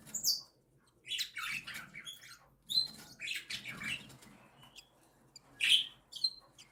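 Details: Three captive cockatiel chicks aged one and seven days beg while the mother feeds them: bursts of shrill, rasping chirps recur every second or so, separated by short quiet gaps.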